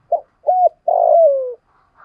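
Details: Spotted dove kept as a lure bird, with a deep 'giọng thổ' voice style, calling to draw wild doves; three low cooing notes, two short and one long, sliding downward, each clear and loud against silence.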